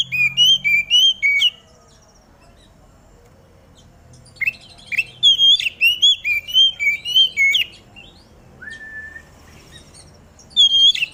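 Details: Oriental magpie-robin in the dew singing so that other magpie-robins join in: three bursts of rapid, ringing whistled notes, one long burst in the middle, with a single drawn-out lower whistle between bursts.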